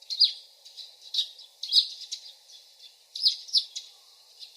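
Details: Distant nightingale singing a loose series of thin, high chirped notes with brief buzzy accents, irregularly spaced across a few seconds, set against quiet outdoor ambience.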